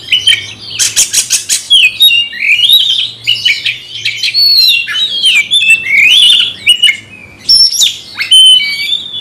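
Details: Magpie-robin (kacer) raging at a rival, with rapid, dense song: a run of quick clicking rattles, then a long stream of loud, slurred whistles and buzzy chatter, almost without pause.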